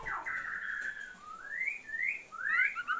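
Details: Female Oriental magpie-robin calling the male to boost his breeding drive: a long steady whistle followed by softer rising slurred whistles and a quick twittering end, with a faint background hiss.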